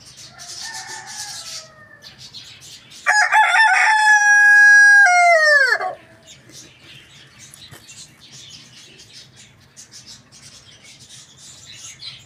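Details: Rooster crowing loudly in the morning: a strong harmonic crow rising then falling steadily in the middle, with a fainter distant crow before it and low background hum and rustling after.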